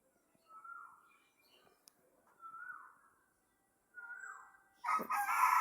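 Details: A roughly three-year-old hen that had laid eggs two or three times, about ten each time and last six months ago, now gives three short, hoarse rooster-like crows, strained drawn-out notes about a second apart, ending in a loud burst of noise.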